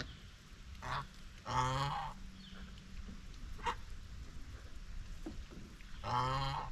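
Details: White Chinese geese, domestic birds on a homestead farm, grazing and bathing while chatting socially: two loud, nasal, harmonic honks several seconds apart, with softer short calls between over a low rumbling background.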